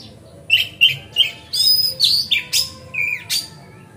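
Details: Oriental magpie-robin singing to prompt rival magpie-robins into tail display: quick repeated chirps, then sweeping whistles and harsh buzzy notes, all high and energetic.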